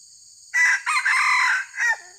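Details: Red junglefowl crowing during a trapping session to lure wild junglefowl: a loud, harsh, clipped crow in several bursts, a strong first note, a longer middle phrase and a short tail, over a steady high insect drone.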